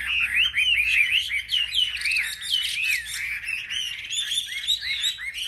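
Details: Caged Chinese hwamei competing in song at a market rack: rapid run of looping, bouncing whistled notes, repeated arches and trills, loud and unbroken.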